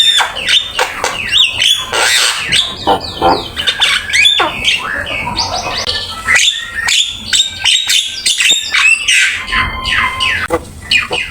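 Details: Javan myna in prolonged master song full of varied phrases: harsh squawks, descending whistles, clicks and chatter tumbling on without pause, with a faint low hum underneath.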